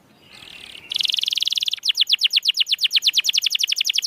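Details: Canary singing, used to stimulate reluctant canaries: after a soft hiss a high buzzing roll begins, then turns into a clear, fast trill of repeated falling notes.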